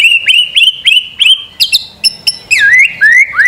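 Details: White-rumped shama master song meant to make a bird sing: a run of rising whistled phrases repeated about three times a second, then sharper high notes and downward-swooping whistles.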